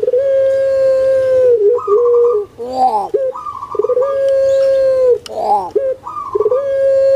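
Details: Captive puter pelung collared dove, prized for a sweet, stable voice, gives long, even, mellow coos that drop slightly at the close, separated by short, gurgling, rolling kuk-gerruk phrases, three long notes in all.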